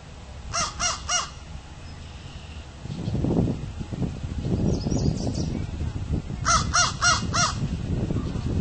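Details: An American crow calling in seaside Charlottetown, Prince Edward Island, on 24 June 2016 gives two bursts of three harsh, hoarse caws in quick succession, about six seconds apart, over a steady low rumble of wind or distant traffic.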